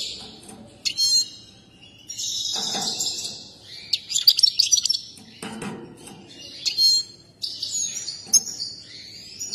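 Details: Excited European goldfinch singing while dancing: bursts of high, bright twittering and tinkling notes separated by quiet pauses, with a few sharp whistled accents.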